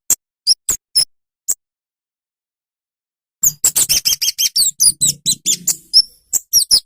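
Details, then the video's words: Kemade bird singing its sweet, high song: a few scattered thin chips, a pause, then a fast run of squeaky, twittering high notes with a faint low hum underneath. "Suara Merdu Burung Kemade | Ocehan Khans Cabe Cabean | The Sweet Sound of Kemade Birds"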